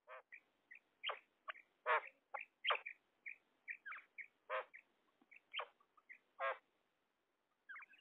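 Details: A female common quail gives its harsh, raspy "kirk" notes at an uneven pace, about one a second, with soft short chirps between them.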